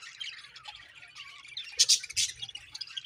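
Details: Budgerigars chirping: a busy chatter of overlapping warbles and squeaky chirps, with two louder harsh squawks near the end.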